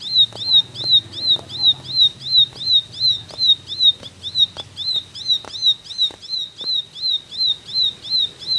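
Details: Ciblek singing in the rapid 'tembakan' style: high, sharp down-slurred notes with a rising hook, repeated evenly almost three times a second, over a low background hum and faint clicks.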